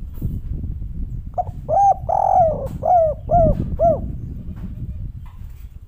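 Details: Spotted dove, a "kuk 3" type bird called derkuku or tekukur locally, cooing: a phrase of about six mellow, hollow coos with a drawn-out, falling middle note, heard over a low rumbling background.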